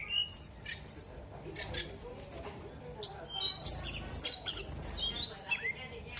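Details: Flowerpecker in full song: thin, very high chirps and sweeping whistled notes that rise and dip, delivered in rapid clusters with short gaps, over a faint low rumble.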